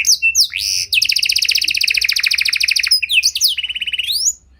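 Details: Panda canary singing in luxurious cengkok style as a lure for training other canaries: sweeping whistles, a sustained rattling trill, a short rising phrase and a second brief trill ending in silence.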